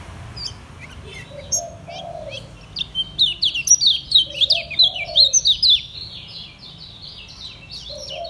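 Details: Ngejos selow song from a caged Lombok white-eye: a rapid, loud string of high, sharply downslurred chirps packed densely mid-phrase, while a dove coos softly at low pitch in the background.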